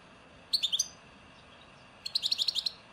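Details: Song of a European goldfinch, Souk Ahras region of Algeria, Ain Dalia dam style: a short tinkling group of three high notes, then after a pause a rapid string of about eight sharp, ringing twitters.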